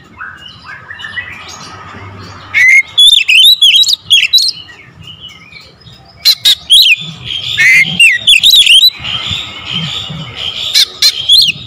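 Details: Oriental magpie-robin, local name kacer, in rapid 'tembakan rapat' lure style: softer warbles give way to loud clusters of clipped whistles and slurred rising notes, several bursts over the recording.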